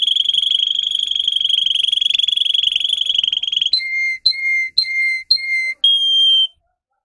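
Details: Russian canary bred for singing, as a lesson for young canaries. A rapid high roll lasts nearly four seconds, then switches to four clear, two-part whistled notes, each stepping down, and ends on one pure held whistle.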